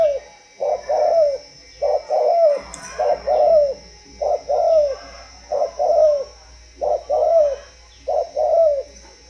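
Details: Spotted dove, a captive bird from a breeding farm in Văn Hòa, Ba Vì, Hanoi, Vietnam, giving deep, regular cooing phrases of two or three soft hooting notes, repeated about every two seconds, with a steady high electronic whine behind.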